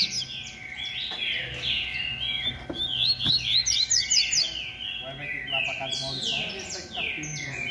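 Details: Rusty-collared seedeater, 'beco' song type, in a noisy competition: quick chirps and slurred whistles building into a rapid series, with clicks and rival birds in the background.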